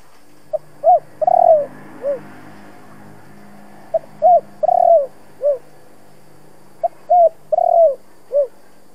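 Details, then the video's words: Cooing spotted dove of the 'thổ' voice type, for stimulating decoy birds to call: three evenly spaced phrases, each of quick soft notes, a drawn-out rolling coo and a falling rounded coo, with faint low hum underneath. "Tiếng Cu gáy kích bổi mới nhất"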